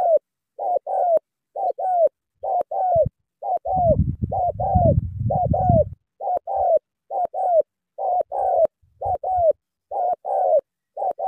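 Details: Spotted dove from Cà Mau giving eager, repeated cooing: soft hollow double coos, short then drawn-out and slightly falling, in a steady series, broken midway by a burst of low rustling noise.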